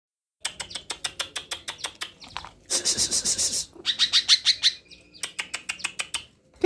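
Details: Tame Greater green leafbird bursting into song rich in isian phrases when approached: rapid trains of sharp high chirps, a dense buzzy high burst mid-way, then clear whistled notes and more quick chirping.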